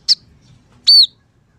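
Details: Scaly-breasted munia, lively singer, with song filled with sparrow, red siskin and canary-like phrases: one short sharp high chip, then a loud clear whistled note rising and falling, against near silence.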